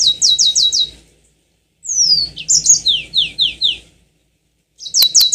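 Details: Yellow-fronted canary (mozambik) singing a lure song meant to set other birds off into long rolling song: quick runs of high, sweeping downslurred notes in bursts, with pauses between phrases and a faint low hum behind.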